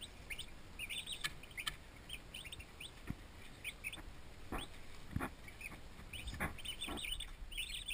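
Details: Faint chorus of high, short whistled peeps from a batch of twenty young turkey poults in a farm nursery, with occasional soft taps and a constant background hiss.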